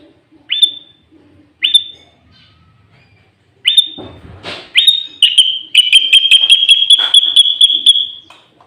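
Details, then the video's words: Loud, clear sooty-headed bulbul lure recording with imitated green leafbird fill-ins, meant to make rival bulbuls call. Sharp upslurred whistles open it, then a fast even trill of bright notes runs for about three seconds. A brief rustling burst comes midway. "Pancingan Burung Kutilang Gacor Full isian Cucok ijo"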